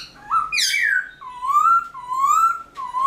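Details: Captive black-throated laughingthrush (Pterorhinus chinensis) singing in the early morning: loud, clear whistles, an opening rising note with a sharp bright burst, then three long slurred whistles rising slightly, about one every three-quarters of a second.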